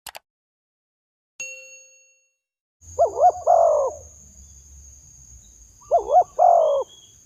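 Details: Spotted dove call used to lure wild doves: after a brief metallic ding, two low cooing phrases about three seconds apart, each a quick wavering double coo followed by a longer, slightly purring note, over a steady faint high hiss.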